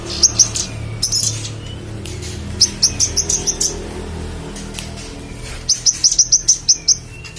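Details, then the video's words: Singing magpie-robin recorded as training audio for competition songbirds: three separate bursts of quick, high, piercing chirp series with short pauses between, over a faint low rumble. "manggaran gacor cocok untuk masteran burung lomba"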